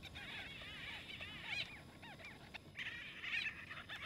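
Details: White-fronted bee-eaters in South Africa's Kruger National Park fighting over nesting space; several birds give overlapping squeaky, arched chirps, busy and irregular, with a steady high hiss in the background.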